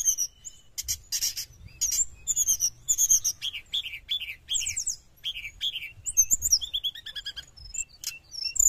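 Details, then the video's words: Sooty-headed bulbul song used to lure wild birds: strings of repeated downslurred chirps, sharp ticks and high whistles in lively, nearly unbroken phrases. "srdc gacor penarik burung bahan"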